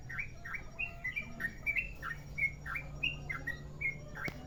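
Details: Long rolling song of a Merapi sooty-headed bulbul, played as a lure: lively chain of whistled notes alternating high and lower slurs, with a faint steady hum and a click near the end.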